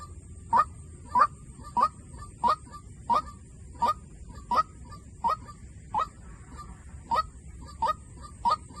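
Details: White-breasted waterhen decoy call, fourteen loud clipped kwak notes in a steady rhythm of about 90 per minute, with low background noise and a thin steady high whine.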